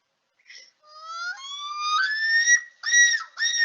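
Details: A Common Loon, returning in late March–early April to nest at Quabbin Reservoir in New England, gives its tremolo contact call: rich, eerie notes climbing in steps, then a long wavering high tone broken into a few pulses.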